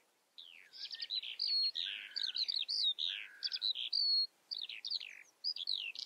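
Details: Continuous Eurasian skylark song, bright and hurried, mixing sharp chirps, buzzy slurred phrases and thin upward whistles in a chattering, ever-changing flow after a quiet start.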